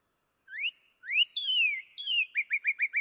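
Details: Northern cardinal (Cardinalis cardinalis) song: clear whistled notes, two rising slurs then long falling ones, ending in five quick rising chips like laser shots.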